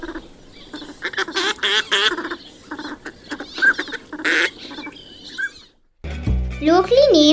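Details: Northern pintail giving a quick run of nasal, reedy duck calls for about five seconds, with a voice and a short laugh mixed in; music takes over at the end.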